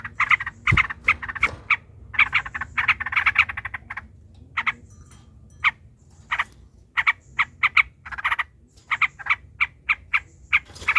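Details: Yellow-vented bulbul giving a long 'ropel' fighting chatter to provoke other bulbuls into song. Dense runs of short buzzy chirps alternate with scattered single notes over steady low background noise.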